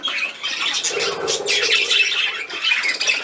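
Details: Budgerigar at play, recorded 13 December 2019: dense, scratchy warbling chatter with rapid squawky notes packed high in pitch, running continuously through the whole stretch without pause.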